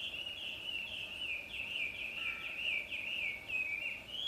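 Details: Bird singing in the early morning in full voice, a fast run of high, bright chirps repeated about twice per second without pause, over a soft background hiss.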